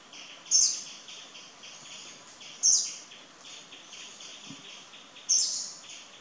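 Indian blackbird giving three sharp, very high call notes about two and a half seconds apart, over a steady background of high insect chirring.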